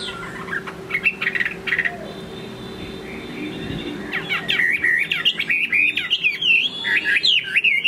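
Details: Chinese hwamei singing in the late afternoon: a few scattered whistled notes early on, then from midway a loud run of varied, rapidly changing slurred whistles, rising and falling, over a low steady hum.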